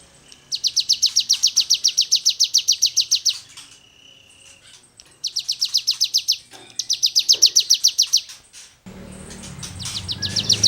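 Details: Cigun singing in full, lively 'gacor' form, a rasping 'gesekan' type song used to tutor songbirds: fast runs of buzzy downslurred high notes, about three or four a second, broken by short pauses, ending over a burst of low noise.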